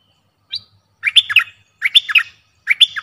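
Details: Song of a streak-eared bulbul: three clear, bubbly phrases, each a quick cluster of warbled, slurred notes, delivered about once a second after a single thin opening note; otherwise silent.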